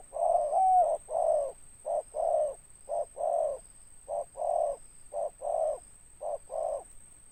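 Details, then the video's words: Spotted dove with a big ngeruk-style voice and closing tindan note, repeating low throaty coos in short-long pairs about every second, the first note bending upward, a faint steady high-pitched whine throughout. "Tekukur suara besar ngeruk ada tindannya"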